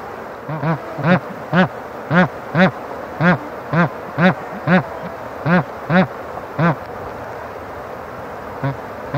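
Bar-headed goose gives a series of nasal, low-pitched honks, about two per second at an uneven pace, over a soft background hum.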